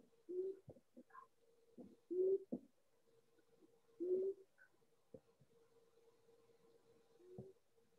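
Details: Long-eared Owl, also called cat owl, a migratory boreal-forest owl of Manitoba, in a very quiet recording giving soft, low single hoots about every two seconds, with a steady electrical hum and faint clicks.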